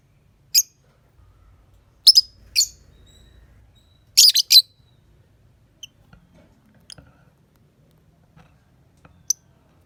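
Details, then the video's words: Lovebird morning lure recording: scattered bursts of sharp, high chirps, including a tight cluster of three, then fainter isolated ticks and a final lone chirp. A low murmur sits underneath. "Pancingan Suara Love Bird - Untuk Pagi Hari"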